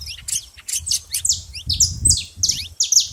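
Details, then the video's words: Saffron finch at a feeding spot, very noisy: rapid, high, sharp chirps and short downslurred notes in quick succession, with a faint low rumble underneath. "canário da terra fazendo muito barulho na seva"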